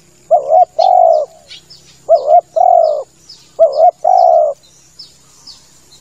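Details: Lure call of a male spotted dove used for dove hunting: three low, soft cooing phrases, each a brisk doubled note then a longer sustained coo, spaced about one and a half seconds apart, with faint thin bird chirps behind.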